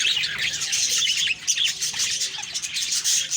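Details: Budgies chirping one morning, October 2, 2023: dense high chatter with clear short whistled notes, a brief lull just past the first second.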